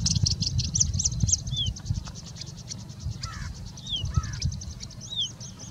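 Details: Singing bush lark in India mimicking other birds: a run of high ticking notes, then scattered downslurred whistles and short lower twitters, with a low background rumble.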